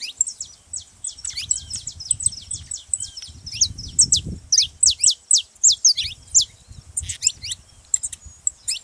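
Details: Saffron finch singing to encourage a canary to sing: long, rapid series of high, sharp, falling chirps about two per second, rising in energy toward the middle, with faint low background noise.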